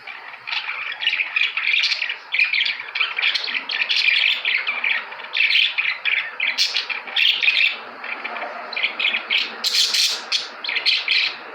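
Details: Budgerigars giving a continuous warbling, chattering stream of rapid squeaky notes and harsh chirps, dense and unbroken for over eleven seconds, with a brief louder burst near the end.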